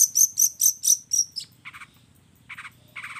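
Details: Long-tailed shrike song with a combination of fill-in phrases, used as a training track to provoke other shrikes into answering: a run of five sharp high notes, then spaced buzzy, scratchy bursts over a faint low hum.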